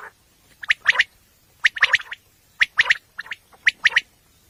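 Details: Common quail calling at night, a recording used for hunting, described as female: four well-spaced groups of crisp triple-pulsed notes, roughly one per second, against a quiet background.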